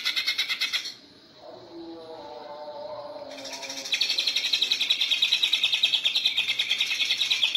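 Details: Greater green leafbird, cucak ijo, giving the 'ngentrok' song style used to train contest birds: a fast high chattering trill breaks off into soft lower warbled notes, then a dense rapid pulsed trill resumes and carries on strongly.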